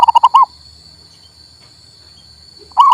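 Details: Local male zebra dove for stimulating a bird that will not sing: the end of a quick bubbling phrase, a silent gap of over two seconds, then the next phrase beginning, with faint hum throughout.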